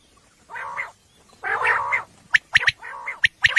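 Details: Common quail at night, a recording used for hunting, described as female: two drawn-out nasal, croaking phrases, followed by sharp clicking notes in quick pairs and threes.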